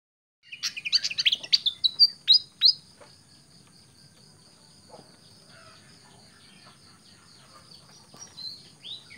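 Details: Pied fantail, a tame bird, giving a quick burst of sharp, high chirping notes over about two seconds, then falling quiet with only a faint steady hum and a few soft notes near the end.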